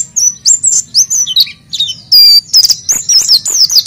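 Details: High, varied oriental white-eye song used as a lure: separate whistled notes at first, then a bright sustained tone and a quick tumbling twitter near the end, over a soft low hum.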